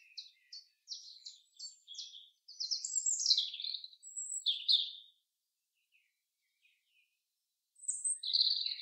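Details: Common chaffinch song in a forest: a series of crisp repeated chips speeding into a tumbling, descending flourish, then a pause of about three seconds before another high phrase begins.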